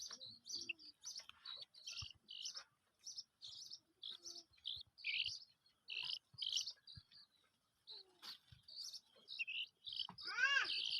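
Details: Black francolin chicks: a busy stream of short, high chirps and peeps, several overlapping, coming in quick bursts about every half second, with one brief falling squeal near the end.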